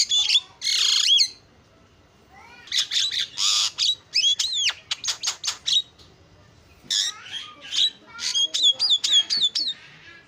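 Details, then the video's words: Starling singing a lure song to set other starlings singing: a long harsh squawk, then rapid clicks and downswept whistles, ending in a bright run of whistled chips and chatter. "SUARA JALAK PALING KREN KICAUAN JUARA"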